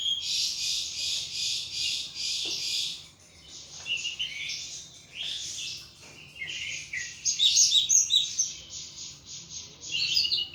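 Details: Pet thrush kept in a cage, in heavy ngeplong singing: fast, rich, continuous high chattering warble with a brief lull midway before louder varied phrases return.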